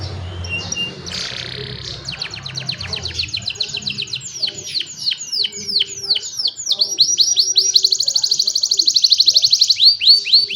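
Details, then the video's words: Young canaries singing to teach other canaries, recorded on a phone: a series of falling whistled sweeps and varied phrases, ending in a fast, loud rolling trill of rapidly repeated notes. "Young Canaries Sing for Your Lazy Canaries | Canary Singing"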